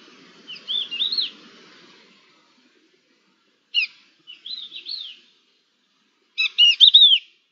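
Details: Two or more crested larks in exchange, dated 11-10-21, giving clear whistled calls: quick rising-and-falling slurred notes strung in short phrases, opening with a faint faraway phrase, then sharper stacked notes and a loud final whistle after pauses.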